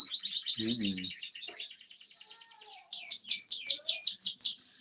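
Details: A bar-winged prinia, aged one year, sings an unbroken run of fast, high, evenly pulsed chirps that grow louder toward the end. A short lower buzzy sound and faint tonal notes sit underneath early on.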